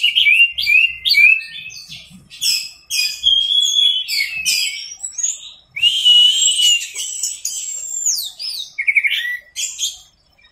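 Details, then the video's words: Orange-headed thrush singing in the 'teler' style for masteran training: a dense, varied run of high whistled and chattering phrases, quick slurred notes and rising sweeps, broken by brief pauses, with no other sounds. "MASTERAN ANIS MERAH TELER"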